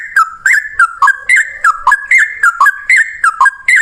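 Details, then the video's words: Yellow-vented bulbul in fighting mode, singing a long rapid song used as a lure to prompt other bulbuls to sing: a steady run of short bubbly, liquid phrases that dip and rise, repeated a little over once per second. "trucukan gacor TARUNG ROPEL PANJANG buat pancingan trucukan agar bunyi"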